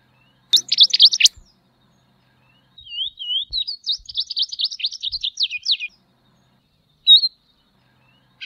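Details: Tropeiro seedeater (Sporophila beltoni) song with a short burst of high notes, then soft whistles building into a long, fast run of chirping high notes, and a final lone note.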